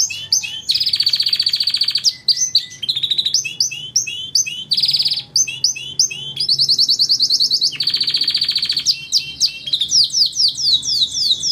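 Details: Canary singing as training material for songbirds: loud alternating phrases of buzzy high trills and quick repeated rising chirps, each phrase one to two seconds, with brief gaps between.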